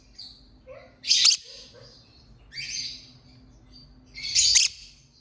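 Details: Lovebird chirping: three loud harsh bursts high in pitch, each under half a second, spaced about one to two seconds apart, with faint softer chirps between them over a low steady hum.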